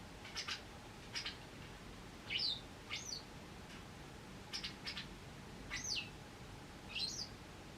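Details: A wild white wagtail with an injured leg, reappearing after nine months and watched over during its recovery: sharp, down-slurred chirps given singly every second or so, mixed with short dry clicking bursts against quiet background hiss.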